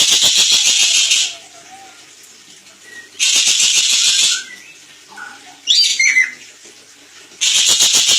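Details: Crested jay in a master recording for training songbirds: three loud, dry, buzzing rattle bursts, each over a second long and made of rapid pulses, with quieter whistles and falling squeaky notes in the pauses between them.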